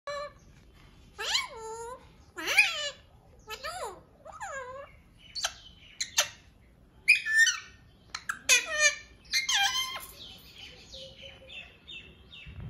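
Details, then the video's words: Pet parrot talking indoors, saying the word "mithio": a series of short, nasal, speech-like syllables with stacked harmonics, given in bursts about every second, then a busier run of squeaky, chattering phrases toward the end. "Talking parrot"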